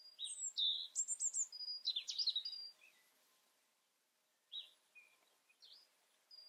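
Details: Varied European robin song: a tumbling series of high, sliding whistles and trills lasting about two seconds, then a pause and a few softer, fragmentary notes.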